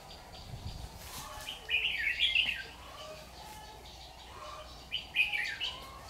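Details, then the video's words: Red-whiskered bulbul kept as a trapping decoy, recorded 6 August 2019; two short, rich warbling phrases of fluty whistles about three seconds apart, quiet between them. "Bẫy chào mào Má lỡ lắc lư có tí xòe"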